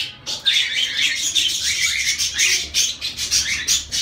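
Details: Zebra finches, several birds, calling together in a dense, overlapping chatter of short nasal beeps and buzzy chirps, high-pitched and nearly continuous, with brief pauses around the first half-second; no other clear sounds.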